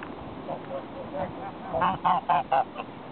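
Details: Geese start with soft, low grunting notes, then give four loud, nasal honks in quick succession, each about a quarter second apart, followed by one short faint honk.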